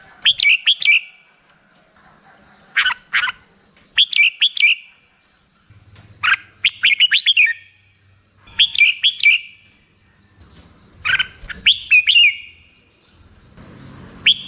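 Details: Black-crested bulbul repeating its short bubbly song over and over, about seven phrases of quick rising-and-falling whistled notes arriving every two seconds or so, with faint low rumbling background at times.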